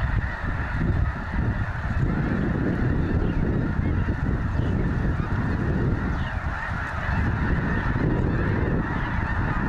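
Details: Thousands of snow geese at Goose Pond Fish & Wildlife Area, Linton, Indiana, keep up an almost deafening, dense clamor of overlapping nasal honks and yelps, with no pauses.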